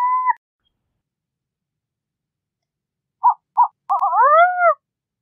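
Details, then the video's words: Burrowing Owl (Athene cunicularia) song: a short level note, two quick clipped hoots, then a rapid run of arching, slurred mid-pitched whistles; otherwise quiet. "Lechucita Vizcachera Canto! Lechucita Vizcachera Sonido! - Burrowing Owl Song"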